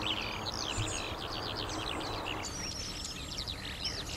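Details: Fast, jangling skylark song of dense high chirps and trills runs throughout, partly masked by steady rumbling traffic noise.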